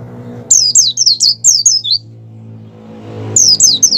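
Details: Breeding-condition Oriental white-eye whose song is played to spur caged white-eyes to sing: rapid series of high, falling whistled notes, a pause, then another fast burst, over a steady low hum and faint music.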